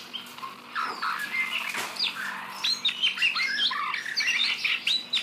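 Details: Shama singing a rich, varied string of whistled notes and short slurred phrases, rising and falling in pitch, delivered in quick bursts with brief gaps, with a steady low electrical hum underneath.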